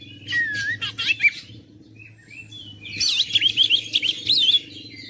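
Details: Oriental magpie-robin song used to rouse a silent, lazy bird: a slurred whistle and chirps, a pause, then a rapid run of warbled, wavering high notes before fading; low background hum throughout.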